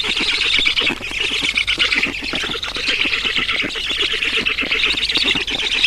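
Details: At a black stork nest in Estonia on 11 June 2019, during feeding: an unbroken wheezing, raspy chatter made of rapid pulses, with slight swells in volume.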